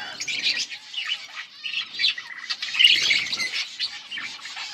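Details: Budgerigars on August 19, 2024, chirping and singing: overlapping squeaky warbles and chattering notes from a group of parakeets, rising and falling in loudness, with no other clear sounds.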